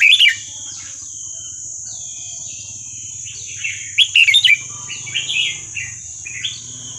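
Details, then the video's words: Red-whiskered bulbul in Burmese-style song, 3-4-5-6 type, played to tutor young birds: a brief liquid phrase opens, then after a pause a fuller warbled burst and fainter notes, over a low hum and a steady high whine. "นกกรงหัวจุกเพลงถิ่นพม่า 3-4-5-6"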